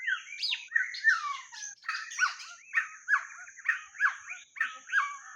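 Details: White-rumped shama singing for a lure recording, loud harsh squawky phrases mixed with slurred whistles, repeated roughly once a second, with a constant thin electronic whine behind.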